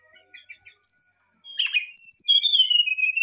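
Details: Brown-chested jungle flycatcher in emotional, excited song: faint soft notes, then a loud high whistle, a scratchy burst, and long sweet whistled notes slowly sliding downward.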